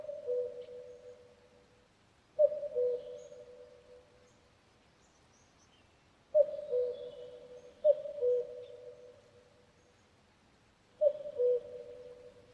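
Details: Repeated cuck-oo calls of a common cuckoo. Low mellow paired notes, the second lower, come in a series of four with a long pause partway. Faint chirping of other birds is behind them.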